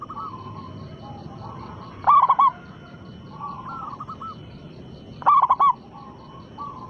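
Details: Zebra dove of local stock, a persistent loud singer whose song serves as a lure for other doves. Two strong phrases of quick, bubbling coos sound three seconds apart, with quieter dove cooing and faint hiss behind.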